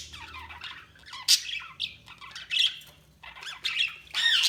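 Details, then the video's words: Budgie flock chirping: quick squeaky warbles and loud grating squawks in short bursts, several overlapping voices with brief lulls between outbursts. "Budgies Sounds| Budgies Chirping sound"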